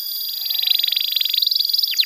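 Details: Canary song used as masteran tutoring for young canaries and as pancingan to prompt silent birds: a fast, even trill of short high notes, a dozen or more per second, ending in a few sweeping downward whistles.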